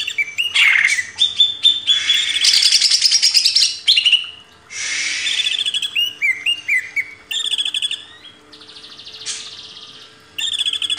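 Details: Cage-bird training recording of a greater green leafbird, with loud rasping chatter bursts alternating with clear whistled downslurred notes and short trilled phrases, separated by brief pauses.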